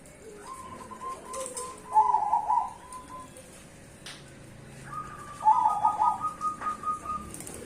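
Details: Zebra dove, cemani bangkok type, singing as a lure to prompt stalled birds to sing: two trilled, warbling coo phrases of level pitch, each about a second and a half, separated by a quiet pause.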